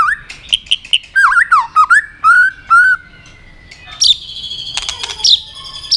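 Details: Fight-singing white-rumped shama, stimulated to aggression: rich warbled and slurred whistles, a pause, then high bright notes over a steady ringing tone.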